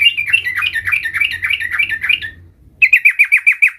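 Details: Practising the rolling song, a sooty-headed bulbul gives a two-second stream of rapid, rising and falling buzzy notes, then after a short silence a crisp trill of about eight evenly spaced notes.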